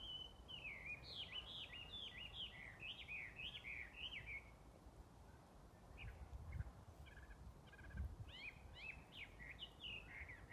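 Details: Unseen small wild bird singing on 5 March 2022, early spring around Keichitsu, in a gentle breeze: rapid series of clear, rising-falling chirped notes in a four-second run, a pause with scattered faint notes, then another similar run.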